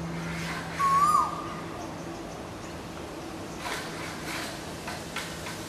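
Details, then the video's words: An Asian koel in India gives one clear, mid-pitched whistled note that rises slightly, then flicks downward at the end, over a low steady hum. "Asian Koel sound"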